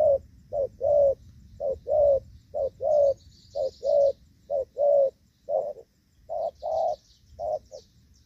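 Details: Spotted dove cooing in the gù vấp style while being trapped with a decoy bird in the rainy season, 23 July 2024; soft low coos repeat in clustered phrases with brief pauses, light high chirping behind.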